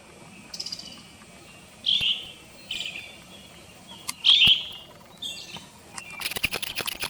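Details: Brown-headed thrush calls taken from a field guide and set over February footage of a bird in Japan: short, high chirping notes repeated at irregular intervals of one to two seconds, ending in a rapid burst of sharp clicks.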